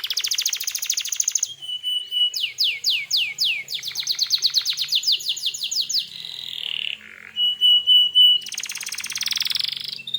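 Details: Canary singing hard as a lure to goad other canaries into replying: varied tours, with a rapid buzzy trill, a burst of falling swept notes, a fast rattling roll, steady whistled notes, and another dense buzzing trill.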